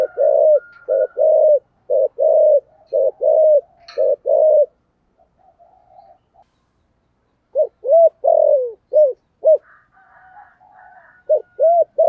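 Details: Spotted dove in the 'thổ sấm' voice style, calling loudly: bursts of low, rounded coos, then a pause with faint murmuring, then more short coos and a drawn-out falling note; a faint higher tone runs behind.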